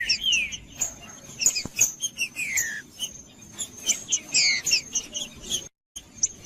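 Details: Green-winged saltator singing, played to warm up a cold captive bird: clear whistled notes sliding down from high to mid pitch, set among busy high chirps and a thin steady tone, with a brief gap near the end.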